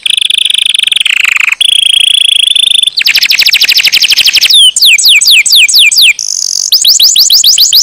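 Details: Canary song: loud sustained trills, first a steady high rolling trill, then rapid repeated rattles and fast descending sweeps, each section switching abruptly to the next.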